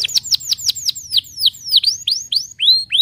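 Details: Canary of the 'pocong losdol' type singing swooping whistles, falling at first and later rising, repeated at about three notes per second, clear and loud.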